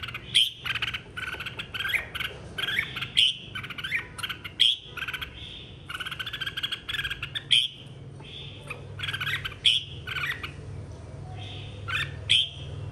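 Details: Red-whiskered bulbul in a 2023 singing contest, giving fired-up song to call the flock: short sharp whistled phrases with a bright high note, spaced every one to two seconds over a low background hum.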